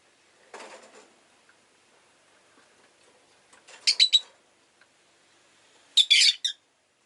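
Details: Rosy-faced lovebird chirping: a soft rustle, then two loud rasping, stuttered chirp clusters about two seconds apart, with faint urban background noise.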